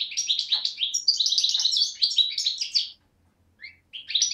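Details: Recorded 8 January 2012, a young European goldfinch, subspecies parva, hatched 2011, from Beni Snassen at the Morocco–Algeria border, pours out quick twittering trills and tinkling notes, pauses briefly, then restarts.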